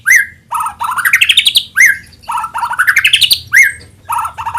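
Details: White-rumped shama song used as a lure to get other shamas singing: a loud, sharp upslurred whistle, then a fast rising series of bright notes, the phrase repeated three times, clear and close.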